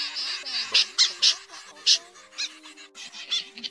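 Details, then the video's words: Common snipe used as a night netting lure in August 2024, giving hoarse, grating notes in uneven clusters that fade and return, over a low steady hum. "Tiếng Sâm Giun Thường"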